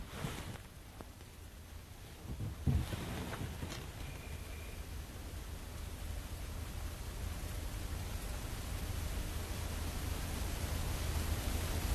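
Steady low rumble of wind and vehicle engine noise, with a brief faint tone and a few knocks; no animal voice stands out.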